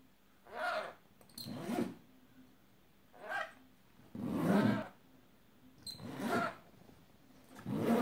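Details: Pet bird indoors imitating a zipper: harsh, raspy, noisy bursts of about half a second, repeated roughly every one and a half seconds, some doubled, with a quiet room hum between them.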